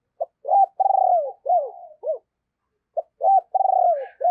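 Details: Decoy spotted dove with a deep booming voice, calling to draw in wild doves: two full phrases of a short lead note followed by long, vibrating, downward-sliding coos.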